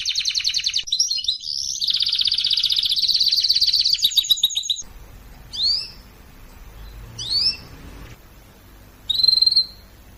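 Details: Canary singing for training, fiery voice: dense buzzy rolling trills for nearly five seconds, followed by quiet hum and three separate downslurred call notes.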